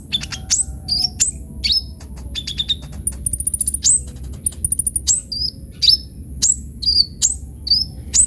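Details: Energetic sunbird (kolibri ninja) song used as lure and tutor recording: sharp high falling chirps spaced about half a second apart, a brief high trill and ticking runs, with a continuous thin electronic tone and low rumble.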